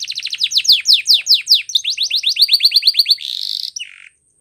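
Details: Spanish Timbrado-style canary training song: rapid descending whistled notes in quick succession, a steady pulsed roll, then a short buzzy burst before falling silent.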